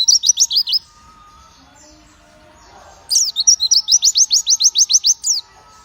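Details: Energetic song of a pleci white-eye: a short burst of high descending notes, a pause, then a long rapid run of steep downslurred notes, about a dozen in sequence.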